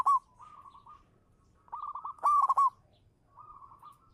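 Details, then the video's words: Champion local zebra dove performing as a lure bird: a loud opening coo, a soft run of mid-pitched stuttering notes, then a strong rolling burst of quick coos near two and a half seconds, ending with a quieter trill. "suara burung perkutut lokal manggung juara pancingan"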